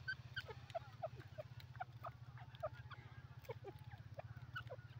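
Francolin calls in rapid runs of short, sharp, falling notes, several per second, over a steady low mechanical hum.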